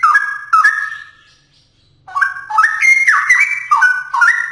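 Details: Energetic straw-headed bulbul song: two clear whistled notes, a gap of about a second, then a rapid cascade of rich, gurgling notes climbing and dropping in stepwise jumps.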